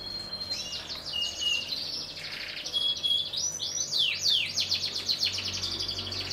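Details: Canaries, a black red canary and a yellow canary, singing a continuous, varied song of rapid high trills, sweeping slurred notes and repeated chirps, running throughout with a faint hissy background.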